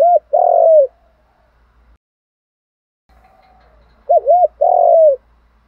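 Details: Contest cooing by a spotted dove in the Thổ pha đồng voice style: short coo followed by a long rough coo, a pause, then two looping notes and another long sustained coo.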